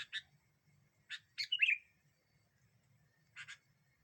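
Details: Sooty-headed bulbul, a lively singer used as a lure to provoke other birds, giving a short burst of sharp chirped notes, a brief tumbling warble, then a quick pair of chirps after a pause; quiet low rumble beneath.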